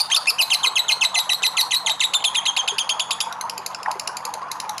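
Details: Lovebird giving its ngekek chatter, recorded to prompt other lovebirds to sing: quick, loud, metallic notes pour out in a continuous trill, then fade to a softer, sparser twitter after about three seconds.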